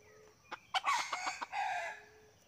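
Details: Wild red junglefowl lured in by a hunter, with two birds approaching; a loud harsh crowing burst preceded by sharp clucks, over faint background hum.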